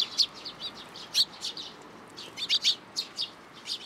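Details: Sparrows flying to a plum tree at a Tenmangū shrine to be fed, 17 June 2022; scattered bright, high chirps, single and paired, several birds calling near and farther off.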